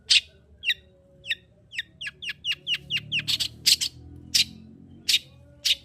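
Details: Long-tailed shrike singing to stimulate another bird to sing: a loud rasp, then a quick run of short downslurred chips, about a dozen, followed by several harsh broadband notes, over a soft hum.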